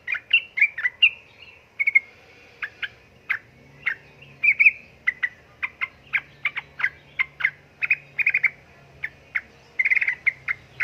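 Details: Ropel-style chattering of a female sooty-headed bulbul calling to a male: a long run of rapid, sharp chirps, packed densely and fairly evenly, with a soft low hum underneath.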